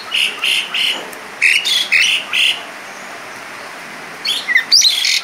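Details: Singing Asian pied starling with a rich fill-in repertoire: six short harsh, buzzy notes repeated about three per second, a pause, then a jumble of squeaky high whistles and chips.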